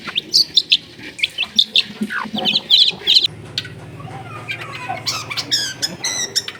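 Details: Long-tailed shrike recorded in a busy residential area, played to restart a bird's singing: a run of rapid, scratchy high chirps and trills, followed by a steady low hum and more chattering notes.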